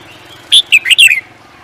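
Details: Songbird kept for singing contests, delivering a brief burst of high, sharp chirps and quick slurred trills lasting about half a second against a quiet, low background hiss.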